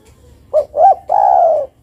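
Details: Spotted dove, female, calling a male: a short coo, a second slightly higher coo, then a prolonged mellow note easing down in pitch, in a quiet setting.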